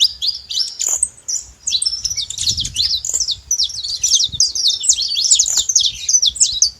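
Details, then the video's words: Saffron finch, known locally as canário-da-terra, calling noisily: a dense, continuous run of sharp high chirps and quick up-and-down notes with barely a pause, a faint low rumble underneath. "Canário da terra fazendo barulho"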